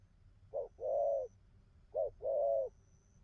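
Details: Newly caught wild spotted dove giving two slow paired coos, each a short note then a long even coo, over soft low background noise and a faint high tone.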